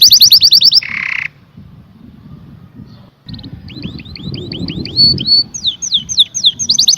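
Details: Canary giving a quick high trill and a short buzzy roll, then a quiet stretch with faint low background noise, before resuming with a series of downward-slurred whistles and trills.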